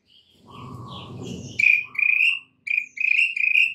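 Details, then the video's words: White-rumped shama, a captive bird used to stir stressed birds into full song, giving a short burst of whistled and buzzy notes ending in a string of bright repeated chirps, with a low rumbling noise underneath at first. "PANCINGAN Murai Batu satu ini mampu Atasi Murai STRESS seketika jadi GACOR NGAMUK"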